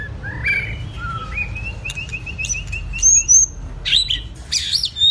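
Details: White-rumped shama, a wild-caught bird two seasons old, kept caged for song-stamina training, sings varied whistles: a quick run of identical notes repeated about ten times, then high thin whistles and bursts of rich phrases, faint low hum behind.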